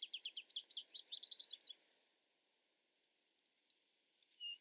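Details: Vesper sparrow heard with some distance and background hiss: an under-two-second run of rapid, slurred high notes, followed by scattered faint chips and a short whistle.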